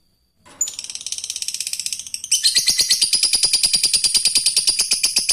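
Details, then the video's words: Fighter lovebird in ngekek, calling an opponent, a training sound for other lovebirds: rasping rapid chatter that grows louder and steadier, pulses repeating about seven times a second. "Suara burung Lovebird fighter memanggil musuh lanjut ngekek"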